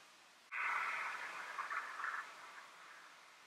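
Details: Rook of the nominate subspecies in Flevoland, the Netherlands, during February, giving a single drawn-out harsh, grating caw lasting nearly two seconds, broad and noisy, fading at the end over faint background hiss.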